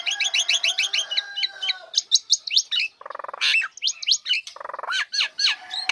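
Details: Caged female Nias hill myna singing right after its cage cover comes off, used to lure lazy birds into singing: quick repeated whistled notes, then curved slurred whistles broken by harsh buzzy bursts, varied and continuous.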